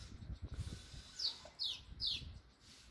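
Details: Swallows gathered at a nest with their chicks in Bulgaria; three sharp, high, downward-sliding chirps follow one another about every half second over a low background rumble.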